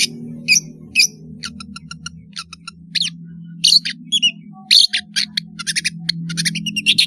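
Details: Long-tailed shrike singing sweetly, used as a lure for young birds learning sounds: scattered high chirps, buzzy notes and short twittering phrases at irregular intervals over a steady low droning hum.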